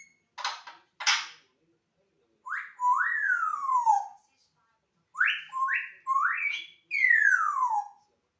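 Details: Pet African grey parrot indoors makes two short raspy bursts, followed by a series of whistles that jump upward and then glide steeply down, some in quick paired notes.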